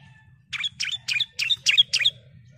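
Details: Female bar-winged prinia calling to the male: six scratchy, buzzy chip notes spaced about a quarter second apart over a low background hum.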